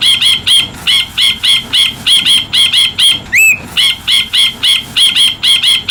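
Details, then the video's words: Rapid, steady chatter of bright chirps from an Ashy bulbul (brinji kelabu), roughly four notes per second, broken once by a single clean upslurred whistle. "Master Bird Chirping Sound Effect Hemixos Flavala/Brinji Kelabu"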